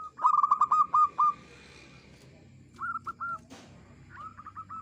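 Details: Zebra dove of local village stock, a keen clear-voiced singer kept to lure other doves: a fast stuttering trill of soft coos, a pause, then two more shorter rattling bursts, with a low background hum and a brief crackle.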